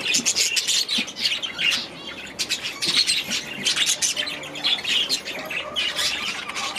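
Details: Many budgerigars in an aviary produce a steady stream of sharp squawks, chirps and scratchy warbling, bursts tumbling over one another with only brief lulls.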